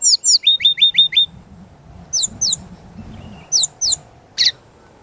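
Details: Brown-chested jungle flycatcher lure song for training: quick paired chirps, then a rapid string of six descending whistled notes, followed by widely spaced pairs of sharp high downslurs and a single harsh chip.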